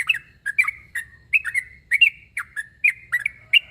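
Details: Yellow-vented bulbul (trucuk) calling a rival in challenging mode, with crisp, bubbly chirps spaced about every half second, each dropping slightly in pitch at the end.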